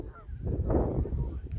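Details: Trumpeter swan at Cones Marsh, a rural wetland, on a brisk Friday morning, 9 February 2024: a low, nasal honk, one short blaring note, over a steady rumble of wind.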